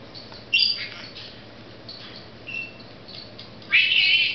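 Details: Pet female Senegal parrot at home, showing off a newly learned word; two loud raspy squawks, one at the start and one near the end, separated by quieter scratchy chatter and a short whistled note.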